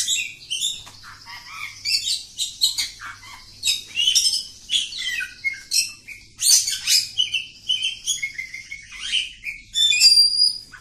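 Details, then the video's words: Long continuous song of a village-type oriental magpie-robin, dense with rapid chattering and scratchy notes interwoven with brief clear whistles, closing on thin high whistles. "Kacer Kampung. Super Ngacor panjang"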